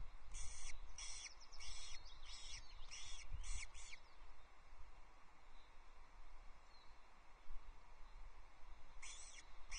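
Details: Osprey nest at Loch Arkaig, 23 May 2024, as a chick wanders off and its mother gathers it back: series of high, thin, ringing whistled calls in quick groups, then a pause and more, over steady low wind rumble.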